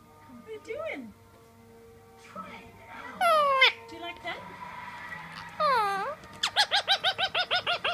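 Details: Blue male Indian Ringneck pet chatting to its mirror indoors; scattered chatter and mumbled speech-like sounds, sweeping squeaks, then a fast train of about a dozen sharp repeated chirps at the end.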